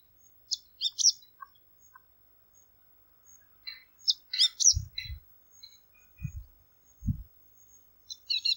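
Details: Bengal bush lark uttering scattered bursts of thin, high chirps and twitters, some in tight groups, with a few dull low thumps in between.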